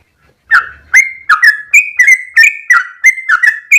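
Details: Trucuk, the yellow-vented bulbul, singing the long 'ropel' rolling song: after brief quiet, a burst of clipped whistled notes, some falling and some level, roughly three per second, bright and clear without other noise.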